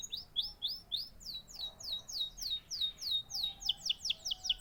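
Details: Canary song of quick, high descending chirps repeated in fast bursts, the phrases speeding up and growing more intricate toward the end.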